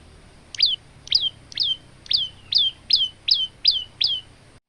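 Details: Nine loud, downslurred whistled notes, evenly spaced about two per second, sung by a male olive-backed tailorbird in full voice. Intended for training other tailorbirds.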